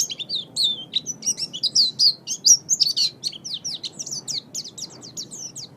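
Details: High, lively warbling song of an Oriental white-eye, from a master recording used to train birds: a steady stream of quick, thin, up-and-down sweeping notes that gradually softens toward the end.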